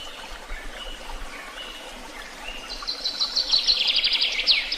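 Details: Birds singing outdoors: scattered quiet chirps at first, then a louder rapid trill of repeated high notes during the final two seconds, with faint running water behind.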